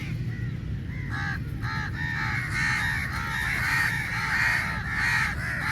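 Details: Large flock of crows fighting over meat, a chorus of overlapping harsh caws with arched harmonic stacks, calls crowding one another almost continuously, over steady low rumbling background noise.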